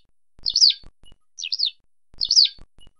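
Eurasian skylark giving three rolling, liquid chirrup calls about a second apart, high and slurred, with faint clicks between them.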